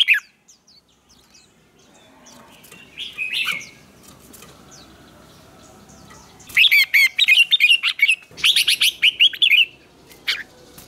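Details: Competitive singing of a red-whiskered bulbul, recorded for training: a few isolated chirps, then two intense bursts of fast, rippling, repeated notes, each lasting about one to two seconds.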